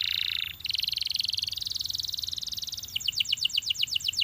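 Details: Belgian canary song meant to set other canaries singing: a sustained buzzy trill that breaks into a quick run of short descending notes.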